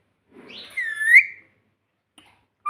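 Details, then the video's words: Talking pet parrot indoors: a single drawn-out, whistled syllable that dips slightly and then rises, with a soft rustle before it and near silence afterwards. "Parrot Talking Mummy Mummy || Bolne Wala Tota || Talking Parrot"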